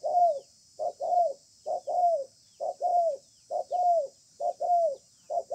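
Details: Wild spotted dove in a calling match under a communal house, delivering its spaced "bài thưa" song: a rapid series of short-then-long hooting coos, the long notes falling in pitch, about five pairs here.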